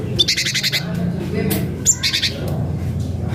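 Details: Cinereous tit, local name gelatik batu, calling a rival; bursts of harsh, buzzy chattering notes alternating with brief high whistled chirps, repeated in short groups over a low steady hum.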